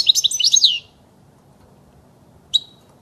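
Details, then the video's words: European goldfinch song for training young birds: a rapid tinkling twittered phrase of high trills and chirps lasting under a second, then a single sharp note after a pause. "صوت الحسون الاصلي خالي من الاخطاء لتسميع الحسون وتعليم الفراخ"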